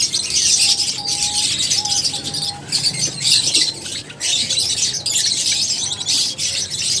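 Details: Lovebirds keep up busy, buzzy high chatter in waves, with short, flat whistled notes in the background.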